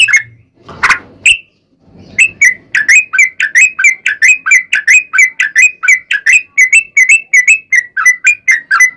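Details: Sooty-headed bulbul, long fighting song used to make other bulbuls sing back: after a couple of scattered notes and a brief low rustle, a steady stream of bubbly chirps, about two per second, carries through.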